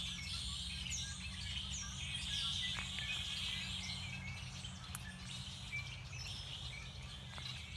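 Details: February chorus of songbirds at Beddis Beach, Salt Spring: dense, high-pitched twittering and whistled phrases overlapping throughout, with a steady low background rumble.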